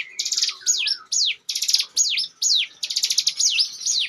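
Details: Bar-winged prinia singing in ngebren style for use as a lure bird, loud high buzzy trill bursts paired with sharply descending whistled notes, about two phrases per second.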